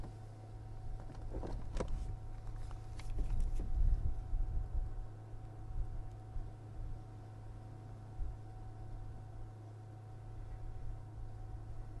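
Low vehicle engine rumble with a few clicks and knocks in the first few seconds; no animal calls are heard.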